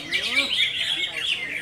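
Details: Greater green leafbird in konslet-style song, a brief, rapid rush of high, squeaky, tumbling notes and slurred whistles.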